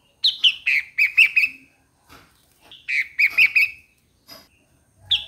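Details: Streak-eared Bulbul singing: two bursts of about six quick, slurred chirping notes, each falling slightly in pitch, separated by a short pause with a faint extra note.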